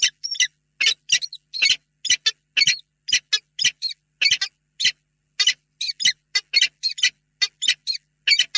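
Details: Peregrine falcon male and female meeting in their box at Reda, 28 February 2022, late in the day; evenly spaced hoarse, creaking calls, often doubled, about two each second.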